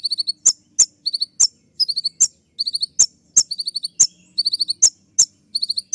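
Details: Tutor recording of a kolibri ninja, Van Hasselt's sunbird, in sharp 'tembakan' song: steady alternation of crisp high ticks and brief clusters of three to five thin, piercing twitters.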